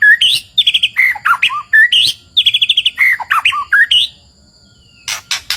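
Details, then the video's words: White-rumped shama song used as a lure, recorded in forest: varied loud whistles, rapid trills and slurred notes from mid to high pitch in bursts, then a pause and sharp broadband clicks near the end. "3 MENIT GACORR MURAI BATU BIKIN EMOSI | isian suara murai gacor pancingan suara burung"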